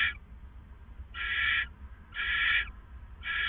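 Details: Owls at a hideout, 4:49 a.m. on April 27, 2014, before daybreak, producing drawn-out grating hisses lasting about half a second, spaced roughly a second apart against a quiet low hum.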